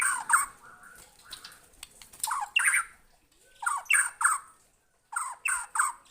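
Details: White-rumped shama responding to a lure recording with harsh, squawking bursts in short clusters separated by brief pauses.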